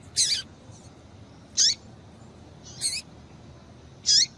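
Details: Female double-collared seedeater calling to stir a male into singing: four short, sharp, high chirps, each sweeping down from very high to lower pitch, spaced about 1.3 seconds apart over faint background hiss.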